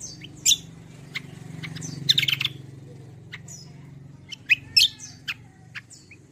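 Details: Kecial kombo song used to lure and teach other birds: short high squeaky whistles and a burst of buzzy chatter, separated by pauses, over a steady low rumbling background.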